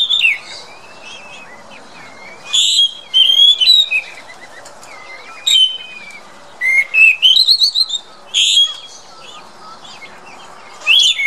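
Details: Chestnut-backed thrush (Zoothera dohertyi) gives a run of sweet whistled phrases. Some notes are long and gliding, while others are quick clusters of rising notes, separated by one- to two-second gaps against a quiet backdrop.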